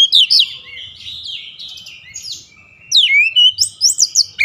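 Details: Oriental magpie-robin singing, used for daily practice toward a long rolling song. Quick bright whistles and slurred notes open the phrase, fade to a soft warble, then return as a lively burst of rising chirps.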